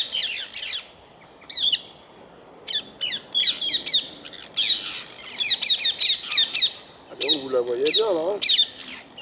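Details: Rose-ringed parakeets feeding on apples set out on wire mesh, giving shrill, grating screeches in quick bursts, some run together in long strings, with a low wavering sound near the end.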